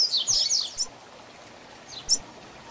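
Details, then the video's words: Double-collared seedeater, Tui Tui Zel Zel song used to teach young birds. A dense, buzzy high phrase opens, followed after a pause by one sharp isolated note. "Tui Tui Zel Zel Diferenciado Encarte seu Coleiro ou Papa capim - Coleiro Professor Aprendizado"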